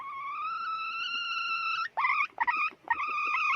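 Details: A hen calling: one long, steady, nasal note held for nearly two seconds, then a few short clipped notes with brief gaps between them. No other clear sounds.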